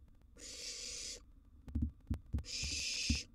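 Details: Nestling barn owl in a wild nest box begging as a sizeable gerbil arrives: two long broadband hisses, separated by a burst of sharp knocking and shuffling sounds.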